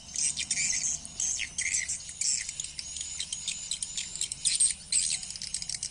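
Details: Played-back swiftlet lure call from speakers used to draw swiftlets in: quick buzzy clicking trills in bursts, roughly one burst a second, over a low background hum.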